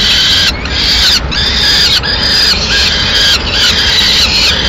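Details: Peregrine falcon at the nest in Madrid, 6 May 2016, female bringing in a pigeon; rapid, harsh squealing notes running nearly together, with short breaks, over steady noise.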